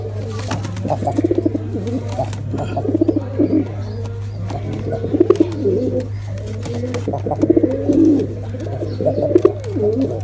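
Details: Male and female pigeons giving a combined attack sound. Repeated low, throaty, bubbling coos run continuously over a steady electrical hum, with soft clicks between phrases.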